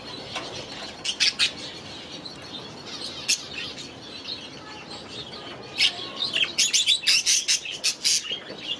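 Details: Caged budgerigars in an aviary: sparse high chirps early, building to a run of sharp, rapidly repeated chirps and squeaks in the second half over a quiet background chatter.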